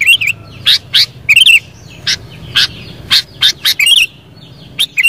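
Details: Sooty-headed bulbul singing briskly: rapid sharp notes mixed with short wobbling, warbled phrases, repeated several times, while other birds twitter faintly behind.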